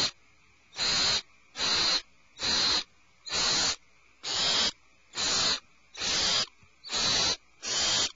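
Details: A rapid series of nine rasping, hiss-like screeches from owlets alarmed in their nest cavity, bursts coming a little faster than one per second and quite regularly.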